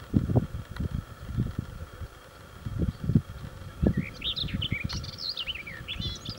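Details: A garden warbler (Sylvia borin) at Dourgne, France, on 13 July 2015 gives a brief, fast, mellow warble of rising and falling notes in the last few seconds, after low rumbling wind or handling thumps.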